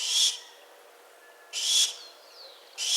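A barn owl gives harsh, hissing screeches, each about half a second long and repeated every second and a half, with faint thin whistles between.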